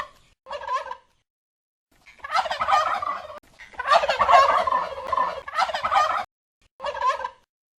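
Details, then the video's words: Gobbling turkeys, glu glu glu: short clipped gobble, then longer rolling, throaty gobble bursts back to back, ending with another brief gobble; clean recording without background sounds. "som de peru - sons de peru gritando glu glu glu glub glub glub"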